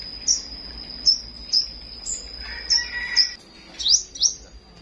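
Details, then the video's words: A flowerpecker in the morning gives sharp, high, thin chirps, several in quick succession about every half second, over a steady high-pitched whine and a brief lower chatter. "Chim Sâu Hót"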